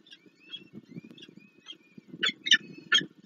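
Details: Peregrine falcons feeding chicks at a nest on Warsaw's Palace of Culture, 26 April 2024: thin, drawn-out squeaky whistles and soft scraping, then three loud harsh rasping calls near the end.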